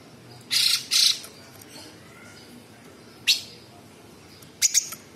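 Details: Sooty-headed bulbul giving coarse 'besetan kasar' style song: two loud grating bursts back to back, a lone harsh note, then a quick double chirp after long pauses.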